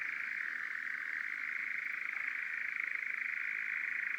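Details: European Nightjar churring at dusk on summer heathland, one of three churring males present; one unbroken, rapid mechanical trill, steady in pitch and pace, with no other clear sounds.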